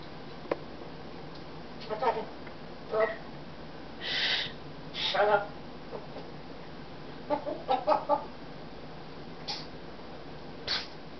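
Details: Indoor Congo African grey parrot, recorded December '08, chattering in mimicked speech: sharp clicks, short word-like phrases, a breathy hiss near four seconds, then scattered syllables and soft pops in a quiet room.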